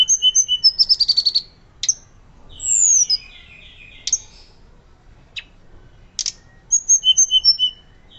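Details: Hill blue flycatcher recorded as a lure and tutor for other birds: rapid repeated high chips, a buzzy descending slur, isolated sharp notes separated by quiet gaps, then an evenly spaced series of short whistles.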